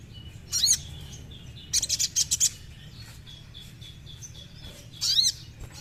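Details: Sogon song used to stir a captive bird into singing, heard as scattered bursts of very high chirps with a short rapid trill in the middle, separated by quiet gaps.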